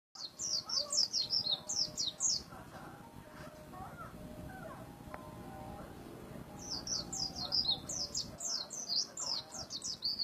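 A white-eye sings two bursts of rapid, high, thin twittering notes, tumbling and slightly descending, with fainter lower chirps filling the pause between them.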